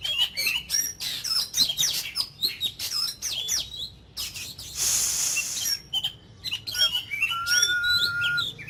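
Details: Oriental magpie-robin, a caged ornamental bird in daily voice training meant to fire it up, pours out fast, varied song: quick high chirps, slurred up-and-down whistles and scratchy rasping bursts, ending with a long, steady, pure whistle.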